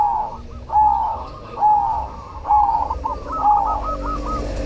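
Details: Zebra dove, cemani type, singing eagerly: four arched, soft coos about a second apart, followed by a quick run of bubbling notes, over a low background rumble.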